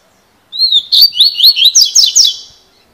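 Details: Double-collared seedeater performing a cilada-style song: a soft whistled introduction, then about eight rapid, loud, upward-slurred notes over two seconds.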